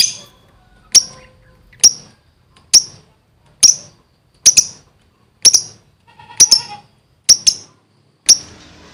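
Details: A gacor lovebird gives sharp, high, clipped chirps at a fairly steady pace, about one a second, sometimes doubled, against a quiet background.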